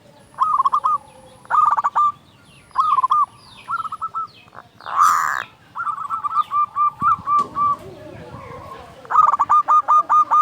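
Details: Local zebra dove in full song, used to stir up quiet doves: short stuttering coo phrases with long endings, a brief loud rustle midway, then a steady string of evenly spaced coos and a final rapid burst.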